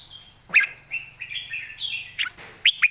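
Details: Red-whiskered bulbul, a competition bird, singing its master song: a loud opening note, then smooth warbled phrases stepping upward, closing with three sharp, bright notes.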